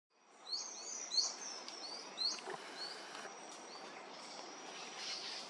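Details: In southeast Brazil, a Salvadori's antwren (Myrmotherula minor), a rare, vulnerable endemic, calls with thin, high, upslurred notes about one every half second to second, over a steady high insect whine and soft forest hiss.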